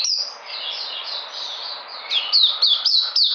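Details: On 13 February 2020 a white-eye said to be coming back in energy gives a softer high warble at first. It then sings loud, rapid, sharply falling high notes in quick succession.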